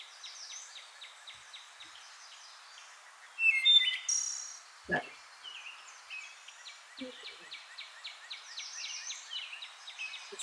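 A Wood Thrush gives one brief, loud fluty phrase ending in a harsh, shattering trill, over a steady chorus of high, rapid chirping from other birds or insects.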